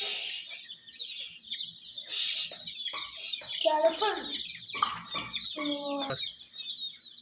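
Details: Hen chicks chirp in a high chorus beside miniature jeep toys while short harmonic voice-like sounds and hissy bursts interrupt the peeping.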